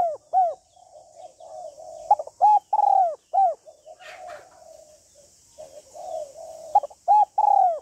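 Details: Spotted dove, a female calling to stimulate a male, with a set of call styles: calling, urging and cooing. Loud arched coos around mid pitch come in quick pairs and triplets, separated by softer, lower murmuring coos.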